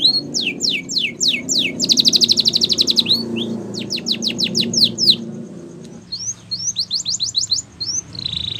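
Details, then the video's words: ['Training song from a canary: bright downslurred whistles, a dense rolling trill, more falling notes, then faster rising chirps, with a low murmuring background noise throughout.'] "Canary's Training Song"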